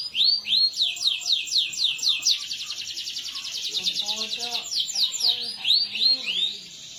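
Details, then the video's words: Canary song as a lure for reluctant singers, opening with arching whistled notes, then a fast dense rolling trill and a return to slurred arched notes, with faint lower chirps in the background. "canary gacor mental jawara cocok buat masteran canary males bunyi"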